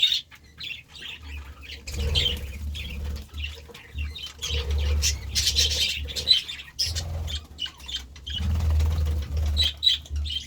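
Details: Several budgerigars feeding excitedly on vegetables, giving bursts of short, warbling, chirpy calls in irregular flurries, over a steady low rumble and wing flutter.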